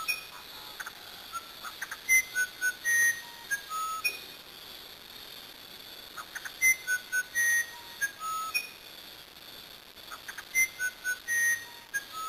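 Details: Brazilian musician wren delivering three phrases of whistled, flute-like notes of varied pitch combined with clicks, each phrase followed by a brief pause.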